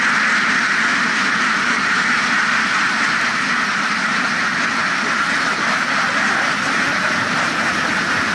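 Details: Numerous ducks on a farm, loud, constant overlapping quacks blending into a dense, noisy chorus that never pauses, with rapid irregular calls throughout.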